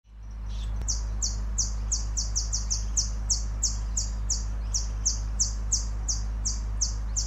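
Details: Temminck's sunbird in Sabah, Malaysia, in June 2023 gives a fast series of very high, thin, slightly falling chips, about three a second, over a steady low rumble.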